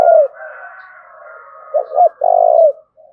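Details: Spotted dove from Đồng Nai, Vietnam, in thúc bổi calling: the end of one coo, a soft drawn-out tonal sound in the background, then two short stuttered notes and a long level coo that drops away at the finish.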